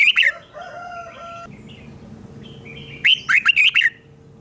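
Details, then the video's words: Doubled song of a caged red-whiskered bulbul, meant for young birds to copy: a clipped phrase at the start, a few soft drawn-out whistles, then a full burst of five or six sharp, chirpy whistled notes. "นกกรงหัวจุกเบิ้ล 1000000% สอนลูกนก ก็อปติดง่าย"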